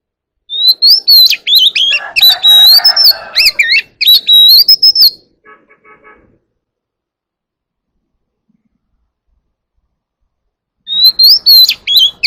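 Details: White-rumped shama singing in a forest voice to call the flock. Rich whistled phrases with rapid chips over a rough noisy background, then faint ticking, a long silence, and a new whistled phrase at the end.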